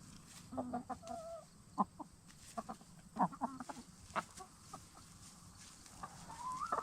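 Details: Hens of black star and Bielefelder breeds settling into a movable chicken tractor for the night after ranging freely. Repeated short clucks and a few drawn-out, slightly rising murmurs overlap in loose clusters, with a faint insect hum behind them.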